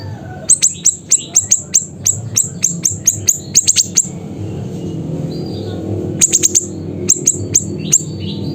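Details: Siri-siri singing in Pidie, Aceh: rapid series of sharp, high, clipped notes, about four per second for four seconds, then after a lull shorter bursts of the same piercing notes. Low background hum and distant chirps.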